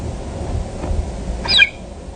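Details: Glesni, a female osprey at the Dyfi Osprey Project nest, gives a single brief, high squeak dropping slightly in pitch while laying her third egg, over a steady low rumble of wind.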